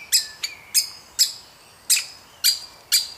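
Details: Baby woodpecker at feeding time: six or seven loud, harsh high chirps at uneven half-second gaps, one quieter note between, against a quiet background.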